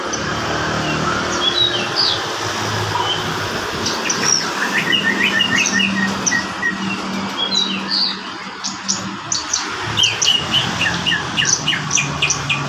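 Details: Horsfield's bush lark of the varpa variety in full song: a long, busy stream of sharp high chirps, clicks and brief whistles, about three notes a second, uneven, with a constant low hum and hiss behind.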